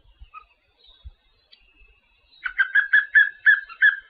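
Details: Papinho-amarelo starts a song after near silence, pouring out a rapid series of ringing whistled notes at one pitch, each note short and slightly rounded, with soft low bumps early on.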